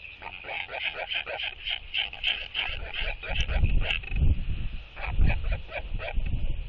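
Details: Northern royal albatross pair greeting at their nest during egg incubation with skycalls that reaffirm their bond. A rapid run of harsh, buzzy, harmonic pulses for about four seconds, then a few spaced notes over steady wind rumble.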